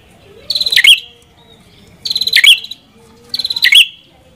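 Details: Red-headed prinia producing three evenly spaced phrases, each a quick stuttering buzz rising to a sharp high note, about one and a half seconds apart.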